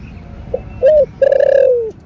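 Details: Spotted dove in 'thổ bầu' voice, one calling and urging phrase: a faint short lead-in, a brief rising note, then a long hollow coo that slowly falls at the end.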